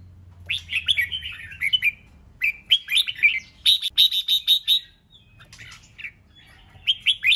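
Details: Red-whiskered bulbul song used to stir other bulbuls into fighting and competitive singing: a run of loud, bright warbled phrases, rapid rising and falling notes in bursts, then a quieter pause and renewed chirping at the end.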